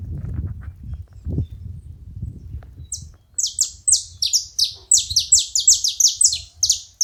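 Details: Low rumbling for about three seconds, then saffron finches together launch into fast, high, descending chirps, overlapping and repeated several per second until the end.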